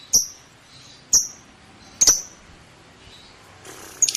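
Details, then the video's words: Lovebird giving a few sharp, very high chirps spaced about a second apart, each a quick bright tick followed by a brief fading tail, with a short scratchy burst near the end and a quiet background. "KiCAU BURUNG LOVEBIRD"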